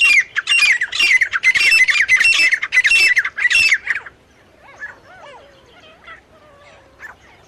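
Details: Male and female partridges (teetar) calling: about four seconds of loud, harsh, rasping notes repeated roughly one and a half times per second, followed by quieter squeaky, warbling notes that rise and fall.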